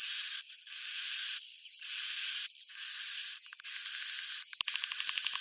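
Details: Roosting swiftlets give long buzzy, hissing chatter with a thin whistle on top, in bursts of about a second, ending in a quick rattling series of clicks.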